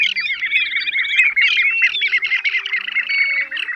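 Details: Several plover species layered into a lure recording for catching birds in nets at night: loud, continuous rapid chirping and squawky whistled notes crowding together, rasping trills on top and a low hum underneath.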